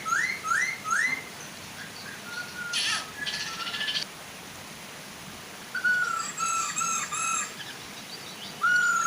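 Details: Chinese hwamei song, with female and male singing to draw other hwamei into singing, over soft waterfall noise: clear rising whistled slurs repeated three times quickly, then a pause, then a run of varied whistled phrases.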